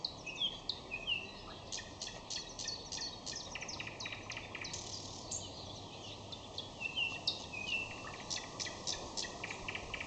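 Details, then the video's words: Common nightingale singing in May: varied phrases of sharp clicks, rapid repeated notes and short whistled slurs, with pauses between bursts, over a steady background hiss. "Майское пение Соловья"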